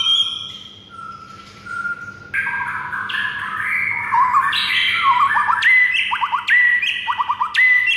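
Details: White-rumped shama in morning song meant to teach other birds: rich varied warbling builds into loud repeated phrases of high whistles and rapid triple chirps.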